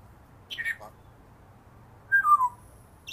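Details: African grey parrot giving a short burst of high chirps and squeaks, followed a second and a half later by a clear whistle sliding downward in three steps. A soft low hum sits in the background.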